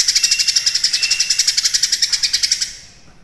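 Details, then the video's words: A cucak kinoi (leafbird), used as a tutor song for training competition songbirds, sings a fast, high, buzzy trill of about seven notes a second for nearly three seconds over a thin steady whistle. "CUCAK KINOI GACOR MATERI MEWAH"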